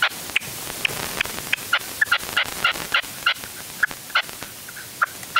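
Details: Decoy red-legged partridge calling from an afternoon hunting stand, upland Huelva, Spain, late January 2023, first stand of the season: rapid sequence of rasping, chattering notes, closely spaced and fairly even in loudness.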